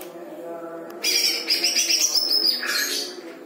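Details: Greater green leafbird singing lovebird-style phrases, a sudden rush of fast, high, buzzy twittering sustained for about a second and a half before trailing off into lower chatter, with low humming beneath.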